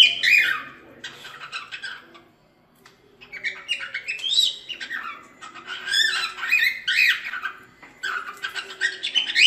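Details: Singing cockatiels for teaching a cockatiel to sing: repeated phrases of rising and falling whistles mixed with chattering chirps, with a short pause near the start.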